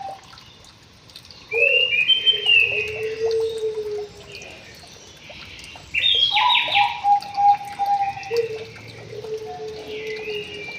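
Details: White-rumped shama singing in an aviary: two long bursts of varied song mixing sustained low whistles with higher slurred, warbled phrases and a harsh burst in the middle, separated by quiet pauses.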